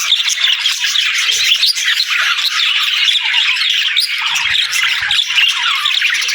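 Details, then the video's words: Chattering budgies produce a steady, crackly twitter of overlapping squeaks and short trills, with soft low taps around one and a half seconds and again past four seconds. "Budgie Talking | Parakeet Singing"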